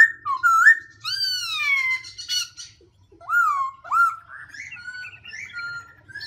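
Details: Black-throated laughingthrush song with continual voice changes: a looping whistled note, then a long descending rich whistle, a pause, and a pair of upswept whistles trailing into softer warbled notes.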